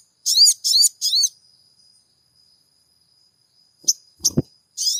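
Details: Crimson sunbird song for prompting a caged bird to sing: three loud, high, buzzy chirps in quick succession, a long pause over a faint thin whine, then brief clicks and a knocking noise before another chirp begins.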